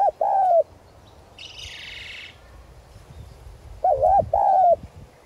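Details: Spotted dove used as a decoy, calling in the 'giọng son' voice to draw in wild doves: a soft two-note coo opens and another closes the stretch, with a short hissing rustle in between.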